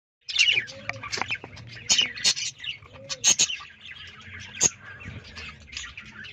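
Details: Budgerigars, described as in a cross-breeding or mating mood, chatter in bright, scratchy warbles and sharp chirps, a busy courtship medley.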